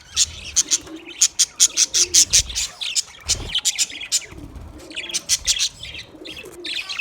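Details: Budgies chirping: dense bursts of sharp, high, scratchy chirps tumbling rapidly, several per second, in irregular runs with brief pauses; a soft, low rumble underneath.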